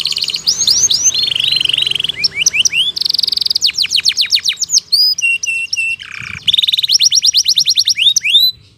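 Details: Energetic canary song, a lure to set stalled canaries singing again and a model for two- to four-month-old birds; mixed buzzy trills, rapid sweeping notes, brief high whistles and a short pause before a final fast rattle.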